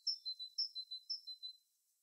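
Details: Bird singing in its natural habitat: three quick phrases about half a second apart, each a bright high note followed by a thinner, slightly lower whistled trill, ending after under two seconds in quiet.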